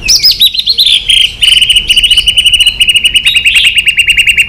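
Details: Aggressively singing white-rumped shama with continuous tack notes: a few high descending whistles give way to a long, rapid, even trill of repeated bright notes.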